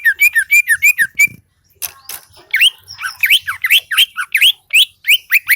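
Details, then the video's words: Greater green leafbird from Aceh's Seulawah valley singing hard: six quick downslurred whistles, a short pause, then a run of harsher, buzzy upward-sweeping notes repeated several times a second. "Cucak ijo lembah selawah Aceh Gacor"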